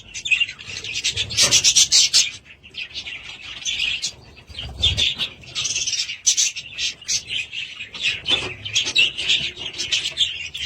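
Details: A group of pet budgerigars gives bursts of loud chirping and squawky warbling, with short quieter pauses and faint wing flutters between.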